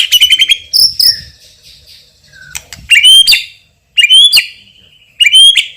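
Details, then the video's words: White-rumped shama, a champion singer with loud, strong voice and rich fill-in material, giving clear ringing whistled phrases with sharp upslurs, separated by short pauses. "MURAI BATU juara isian super PEDAS_suara lantang dan keras"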